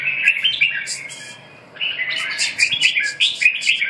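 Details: Warbling song of a red-whiskered bulbul: quick slurred notes, a short lull near the middle, then brighter, rapid chirpy notes with sharp high clicks toward the end.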